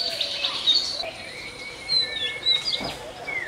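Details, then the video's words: Oriental magpie-robin, national bird of Bangladesh, giving a run of high, thin whistled notes and short sliding phrases over a steady background hiss. "Song of Magpie Robin"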